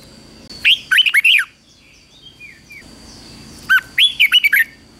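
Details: Red-whiskered bulbul practising its morning contest song in 2024: two bright phrases of rapid rising and falling whistles, roughly three seconds apart, with soft chirps between and a thin steady whine behind.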